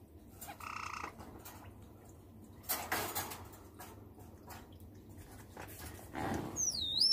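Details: A pet white Java sparrow, 20 June 2019, gives a short nasal note, then near the end a quick high chirp that swoops up and down, with rustling and shuffling noises in between.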